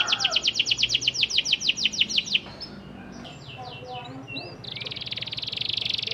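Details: Panda canary song meant to get silent canaries to respond: a brisk series of sharp, high repeated chips for about two seconds, a quieter stretch with soft faint notes, then a steady buzzy high trill.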